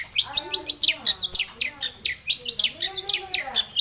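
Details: Long-tailed shrike in lively full song meant to provoke a bird to sing, a quick run of sharp high chirps at roughly two per second with mimicked lower warbling notes beneath.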